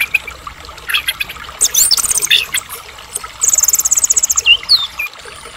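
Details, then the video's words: Soft passage of Medan white-rumped shama lure song: scattered sharp notes, then a rapid high rattling trill and a couple of falling whistled slurs. "murai batu gacor AMPUH buat PANCINGAN murai agar cepat bunyi JADIKAN murai batu gacor EMOSI NYAUT"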